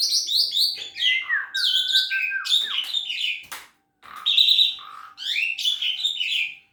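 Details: Song of a young Javan pied starling: busy bursts of high chirps and warbled notes, a long flat whistle held for over a second, then a short pause before more chattering, whistled phrases.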